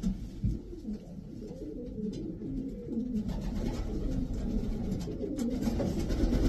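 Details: Twelve top racing pigeons, Davy Van Roy strain, keep up a deep burbling cooing that grows fuller and louder in the second half, with occasional light taps and a constant low hum.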